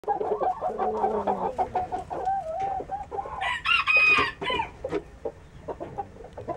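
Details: Saigon green-legged rooster, a gamefowl breed, giving a hoarse, drawn-out crow that rises into a loud strained peak. Clucking pulses and other fowl sounds come before and after it.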